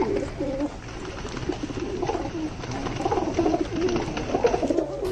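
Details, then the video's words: Pigeons giving natural calls: a chorus of low, rolling coos that overlap steadily throughout, with faint clicks and rustles behind them. "Amazing Pigeon Natural sound|| Natural sounds of Pigeon birds"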